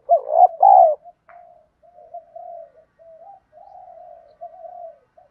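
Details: Thổ đồng-style spotted dove coo used as a lure for training newly caught birds: an opening strong double coo, then a long run of soft, low, level murmuring notes with short gaps.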